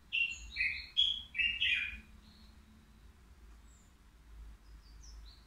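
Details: At the Al-Qurai'a bird market, a caged three-year-old goldfinch praised for a mistake-free song gives a quick, loud cluster of twittered and buzzy notes over two seconds, then faint scattered high chips.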